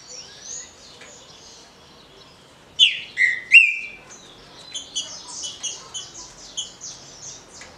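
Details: A captive Green-winged Saltator sings a short, loud "roda"-style phrase of rich whistled notes, sliding down and then up. High, thin chips and twitters from other small birds follow.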